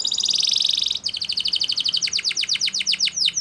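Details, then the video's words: Spanish Timbrado canary training song: a dense high rattling roll for about a second, then fast separate notes that slow and drop in pitch, with faint background hiss. "Canary Training Song | Canary Spanish Timbrado"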